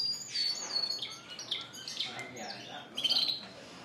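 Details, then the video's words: Caged Spanish Timbrado and Gloster canaries in a bird shop on April 9, 2016, giving high chirps and short whistled notes, scattered and uneven, with faint background hiss. "Singing Canaries"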